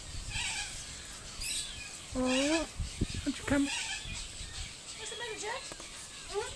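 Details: Corella mimicking human speech at Silverton, New South Wales, June 2010: a few scattered voice-like utterances, including a loud upward-swooping tonal phrase midway and later wavering, gliding notes, with quiet background between.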